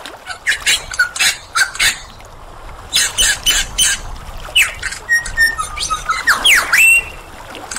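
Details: Mimicking superb lyrebird song made of harsh squawking bursts in uneven clusters, followed by short whistles and swooping rising and falling notes near the end.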